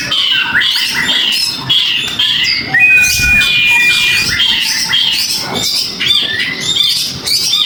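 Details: Kept Oriental magpie-robin (kacer) answering a lure stimulus with a rich, fast run of sweet whistles, sharp chirps and squawky notes, including one long, steady, pure whistle midway.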